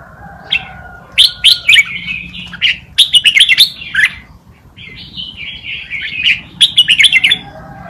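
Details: Tutor song by a red-whiskered bulbul for young birds to learn: clusters of quick bright chirps and warbled phrases, a short lull, then another rapid burst near the end.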